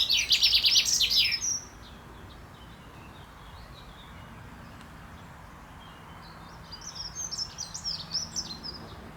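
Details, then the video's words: A male common chaffinch in courtship, recorded 28 May 2024, delivers a loud, fast run of repeated chipping notes falling into a terminal flourish. A softer, distant twittering strophe returns near the end. "Buchfink Gesang singt zwitschert"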